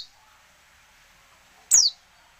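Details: A single thin, high call from a female Oriental white-eye, used to provoke males into singing: a quick downward-sliding note lasting a fraction of a second, against a faint background hiss.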